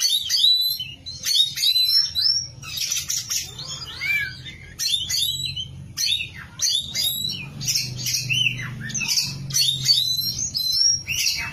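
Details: Oriental magpie-robin, the kacer prized for contests, in full gacor song: a long, continuous stream of fast varied whistles, chirps and trills, rising and falling, with a low droning hum underneath.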